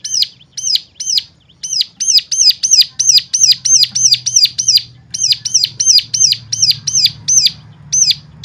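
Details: Bird song used to stimulate other birds into singing: a long run of identical high, sharp down-slurred chirps, fast and steady at roughly three per second, with a brief pause midway.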